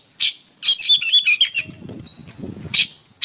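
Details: Short phrase of oriental magpie-robin song used as songbird training material: a quick run of bright chattering notes, then a thin whistle and two sharp chips.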